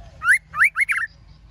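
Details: Female white-rumped shama calling to excite males: four quick slurred notes, each sweeping upward then tumbling, rich and somewhat buzzy, ending in a short warbled flourish with faint high chirps behind.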